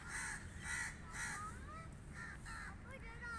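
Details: Three rapid raspy caws from crows open, followed by scattered whistled notes and a softer caw from other birds, with constant low-pitched background hum.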